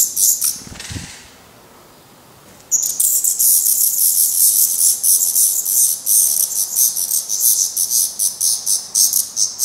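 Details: Black redstart fledglings in Portugal, still downy-headed and fed by their parents after their first flight attempts, give very high, thin, hissing begging calls pulsing about four times a second, after a brief quiet start with a soft thump.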